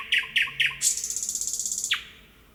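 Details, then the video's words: Thrush nightingale song recorded in nature: three loud clipped notes, then a rapid rattling trill of about twenty even pulses, ending in a sharp downslurred whistle. "Kuulame nüüd selle linnu tutvustamiseks ka ühe helisalvestuse, nõnda laulab ööbik looduses."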